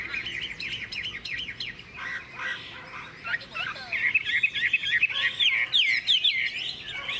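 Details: Sunning in its cage after a morning meal of fresh food, a tame Chinese hwamei sings quick, varied warbles that build into louder, sharply looping whistled phrases.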